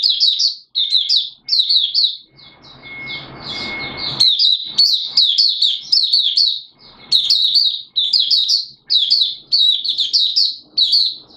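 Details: Malaysian Oriental white-eye in open 'buka sing' singing, Singapore, warm humid day with sudden showers, 29 March 2023: many rapid, shrill twittering phrases in quick succession, a short rustling noise partway through.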